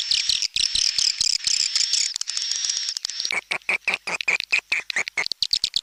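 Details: Swiftlet tarik langgeng calls. A steady, shrill, high twittering trill with a thin whistle carries through the first half, then gives way to evenly spaced short chirps, several per second.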